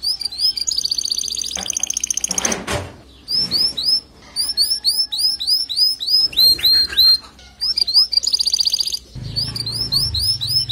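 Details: Male canary singing so the female will build her nest: long, varied high song of rapid chirped trills, sharp rising whistles and buzzy rattles, broken by short gaps and a brief low rumbling noise near the end.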